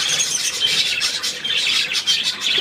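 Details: Budgerigar, 3 April 2017: unbroken high-pitched warbling, dense with fast twittering chirps and short squeaks that come in overlapping bursts.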